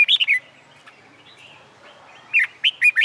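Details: Red-whiskered bulbul, a contest-training bird heard on a summer day: a quick three-note warbled phrase, a pause of about two seconds with faint chirping, then another series of loud slurred whistles.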